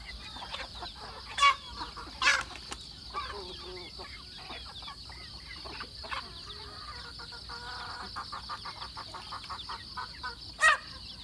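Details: Chickens feeding on a rural farm: soft scattered clucks and chirps over a steady background hiss, with a few louder sharp calls standing out.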